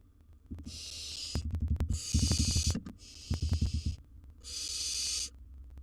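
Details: Young wild barn owl at the nest with gerbil prey, making long breathy hissing screeches mixed with rapid low thumping and scuffling sounds from movement in the box.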